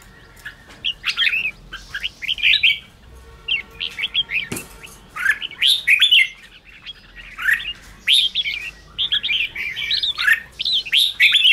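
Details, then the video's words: Red-whiskered bulbul chattering song, meant to rouse weak birds: short whistled phrases in groups every second or two, with a brief low hum and a knock near the middle. "chào mào ché kích bổi căng lửa"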